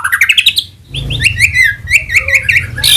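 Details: Shama lure song that opens with a quick series of rising whistled notes, then breaks into a jumble of short warbled and looping phrases. The notes sound bright and high.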